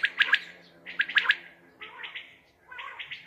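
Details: Common quail calling at night, used for hunting: two sharp triple-note phrases, followed by softer, buzzier drawn-out notes.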